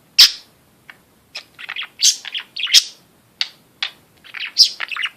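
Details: Pet budgerigar that also speaks a few words chatters in bursts of high, scratchy warbles and sharp chirps, with short pauses between phrases.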